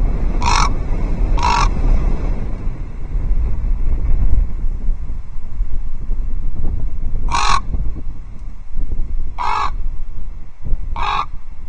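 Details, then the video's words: Raven at Loch Arkaig Osprey Nest Two, 12 October 2023, seeing off another raven with odd clucking calls; two abrupt throaty notes a second apart, a pause, then three more spaced widely, over constant low rumbling wind. "Raven warns another Raven away from Loch Arkaig Osprey Nest Two: strange clucking!"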